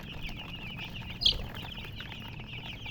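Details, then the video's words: Chicks keep up steady high peeps in a quick overlapping series, with one sharper, louder squeak standing out midway against a low background rumble. "silly chicken chirping sounds"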